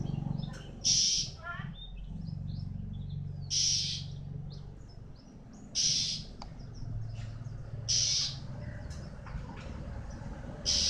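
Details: Male white-eye in moulting season, giving short, harsh, high buzzy bursts about every two seconds, with faint thin chips between them over a steady low hum.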